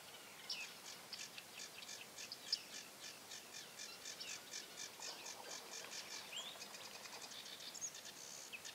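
Bearded tit fledglings make a busy chorus of short, high, metallic chirps and pings, several birds calling over one another almost nonstop.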